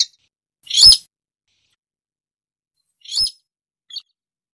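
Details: A rail (sintar, also called burung tikusan) on a lure recording gives short, harsh, high-pitched squeaky notes, three or four brief bursts spaced unevenly over a few seconds, with silence between.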